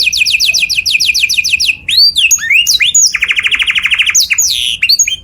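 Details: Canary song meant for other birds to learn: a rapid rolling trill of falling notes, a few arched whistles, then a dense buzzy roll and more rising slurs.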